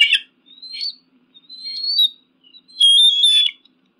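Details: Eagle making thin, high whistled notes that rise slightly, followed by a louder, shrill squealing scream.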